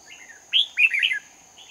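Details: A lure red-whiskered bulbul sings competitively during trapping in Hòa Bình on 18 November 2019. A soft lead-in is followed by a loud, sharp whistle and a tumbling, liquid warble, with a persistent thin high tone behind.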